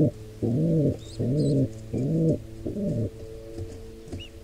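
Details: Wild pigeons at a nest where a squab is attacked by an intruder pair: four low, hoarse, arched cooing notes, each about half a second long, followed by quieter trailing sounds and a faint high chirp.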